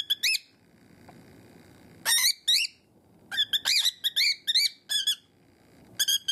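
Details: A captive cockatiel that shrieks noisily whenever it sees its owner's hand gives bursts of piercing, rising screeches, single and then in fast clusters, separated by short quiet pauses.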